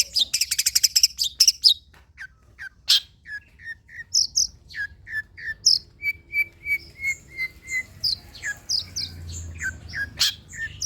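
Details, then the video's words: Long-tailed shrike song used as a lure to get kept birds singing: a fast buzzy rattle of high notes, then scattered sharp chips and a run of even whistled notes repeated about twice a second, with varied twitters at the end. "SUARA CENDET"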